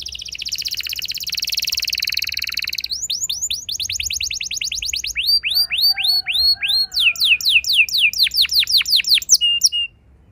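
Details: Canary rolling song meant to set other canaries singing: a dense buzzing trill for three seconds, then phrases of quick falling notes changing pace, closing with a steady whistle.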